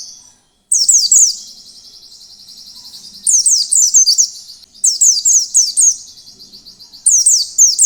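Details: Wild-style Oriental white-eye song meant to trigger other white-eyes into singing; shrill clusters of quick downslurred whistles come in four bursts, linked by a soft, high trilling buzz.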